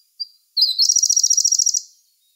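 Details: Siberian blue robin song, recorded in May 2021: a thin high introductory note, then a fast, ringing trill of about twenty rapid notes lasting just over a second.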